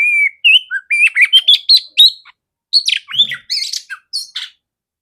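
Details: Female oriental magpie-robin with a big clear voice, for training other magpie-robins: a steady whistle, then quickly rising chirps, a pause, and a further burst of harsh and sliding notes.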